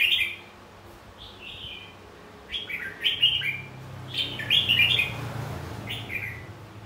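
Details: Red-whiskered bulbul giving a fighting song meant to provoke rival birds into singing: repeated liquid, slurred whistle phrases, each under a second, grouped densely in the middle, over a faint low rumble.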